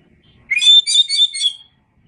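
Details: Oriental magpie-robin in a tutor recording for cage birds: one quick phrase of rich, warbling whistles and chirps, rising at the start and lasting just over one second.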